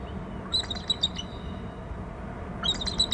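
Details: Bald eagles at a nest territory on Hornby Island, one off the nest, both birds calling: thin high piping notes in short quick clusters, a burst near the start and another near the end, over steady low rumbling background noise.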